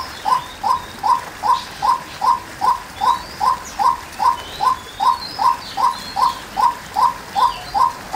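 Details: Female white-breasted waterhen giving a steady series of short, clipped, hooked notes, about two and a half per second, evenly spaced and unchanging for the whole stretch, with faint higher bird chirps in the background.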